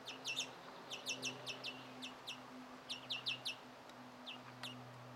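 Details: A European greenfinch chick being fed by its parent gives rapid bursts of thin, high chirps, three or four notes at a time, over a steady low mechanical hum; recorded 1 June 2017.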